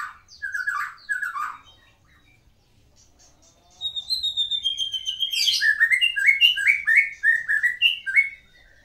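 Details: A Medan-type white-rumped shama sings rich, varied phrases: slurred whistles, a bright descending trill, then rapid repeated chirpy notes after a brief pause.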